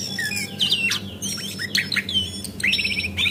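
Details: Lure recording of a female Javan white-eye, brown form, played to get birds singing quickly: busy high twittering, with short slurred whistles and buzzy chips repeated in quick clusters.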